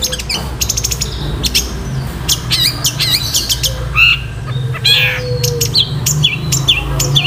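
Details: Long-tailed shrike giving its rapid 'nyeklek' song: scattered harsh chips, short squawky notes and quick downward-sweeping whistles, loud against a steady low hum.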